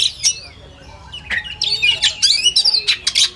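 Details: Oriental magpie-robin in a contest-style recording gives harsh squawking bursts mixed with short whistled slurs and rapid chattering notes in an irregular, energetic sequence, with faint low background noise.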